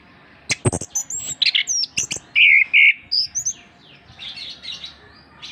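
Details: Master song of the Orange-headed thrush for stimulating reluctant birds: clicks and high whistles, then two loud sustained whistled notes, followed by softer fading phrases over a steady hum.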